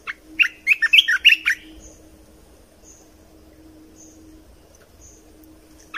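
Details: Red-whiskered bulbul song used to train young birds and excite caged birds: a quick burst of bright, warbled whistled notes over about one and a half seconds, then quiet with faint high chirps and a steady low hum.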